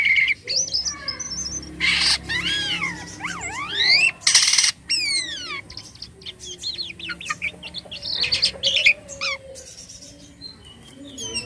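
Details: Jalak kapas (white-shouldered starling) in active song: varied whistles, rising and falling sweeping notes and chatter, broken by several loud harsh bursts of noise.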